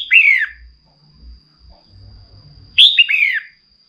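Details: Female red-whiskered bulbul stimulating a male to sing gives two ringing two-part phrases nearly three seconds apart, a clipped high note dropping into a falling whistle, with low muffled bumps between and a faint high steady tone.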